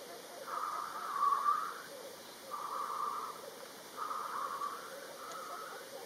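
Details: Black grouse displaying at a lek in Kurzeme, Latvia. Four drawn-out bubbling phrases, roughly every one and a half seconds, ride over a steady background murmur of other males.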